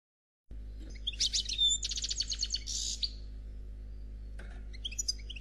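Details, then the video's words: European goldfinch, described as black, singing a faultless Khalwi-style song: after half a second of silence comes a fast, high twittering burst of bright trills and buzzy notes for about two seconds, then quieter scattered chirps over a low steady hum. "Chardonneret Noir Khalwi Chant sans fautes"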